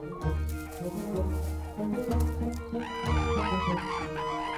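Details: Instrumental music with deep repeated bass notes, plucked strings and bowed melody lines; no animal sound is heard.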